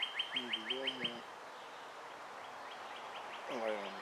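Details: Juvenile Bald Eagles, two birds in the Ft. Hunt nest, May 23, 2015; five crisp high chirps in quick succession, overlapped by lower, wavering squeaky tones, then a second such low squeak near the end.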